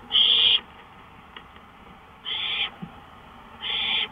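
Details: Two-thirty-hour-before-dawn porch recording of an owl, May 5, 2013 at 1:53 AM: three coarse, hissing bursts; the first is loudest, and the later two come close together, with faint clicks in the pauses.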